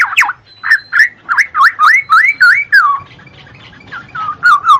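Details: Black-naped oriole song, played as therapy to spur lazy cage birds into singing: a run of rich, fluty, slurred whistles, each rising or falling, repeated about three times a second, then softer trailing notes.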